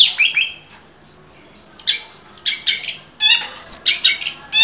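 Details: A lively long-tailed shrike song meant for teaching other cage songbirds: scratchy chattering notes alternate with high whistled slurs and clipped chips, arriving in short clustered bursts roughly every half second.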